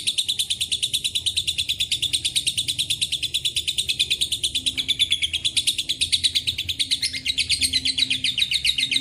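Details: Lovebird with Cililin and canary phrases giving a long ngekek. Dense high chattering runs on and varies slightly in pitch and texture partway through.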